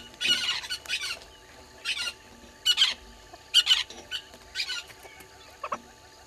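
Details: Southern red-billed hornbills below the waterhole camera at Gowrie dam, Djuma Game Reserve, Sabi Sand, South Africa, at 06:08 on 20 March 2022, giving harsh, raspy squawks in short bursts, roughly one a second, unevenly spaced, over quiet background.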